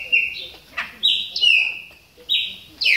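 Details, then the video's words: Caged Chopi blackbird warming up its voice during moult, giving loud whistled notes held level, each with a sharp upward-sweeping onset, spaced about a second apart with brief clicks between. "CHAMADOS DE PÁSSARO PRETOS AQUECENDO NA MUDA !"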